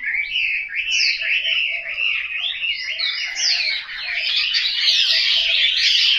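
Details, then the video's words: Chinese hwamei, a captive bird kept at home in Hanoi, sings a varied warble of swooping whistled notes that grows denser and higher toward the end. "Họa mi"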